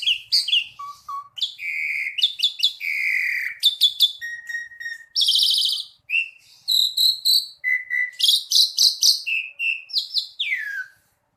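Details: Asian pied starling pouring out a long varied song of clicks, clear whistles, buzzy trills and harsh rattles, with a falling whistle to close, and brief pauses between phrases.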